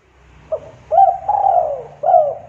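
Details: Spotted dove call used as a lure to prompt birds to start calling: a short soft note, then a long husky coo that falls toward the end, and a final coo. A faint low hum is heard in the background.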